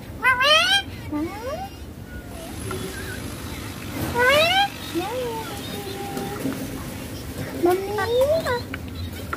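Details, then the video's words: Ringneck green parrot, a pet, chatters while playing on a mobile: bursts of high harmonic speech-like syllables with upward sweeps, a longer sliding phrase near the end, and low background murmur. "Ringneck Green Parrot talking"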